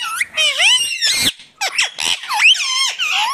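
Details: Natural sound of an Indian ringneck parakeet: a short, unbroken stream of shrill, warbling squeaks and screeches with rapid rising and falling pitch, with one brief dip midway.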